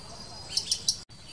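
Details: Blue-capped rock thrush, a Himalayan bird, giving three short, sharp, high chirps in quick succession about a sixth of a second apart over faint steady background hiss.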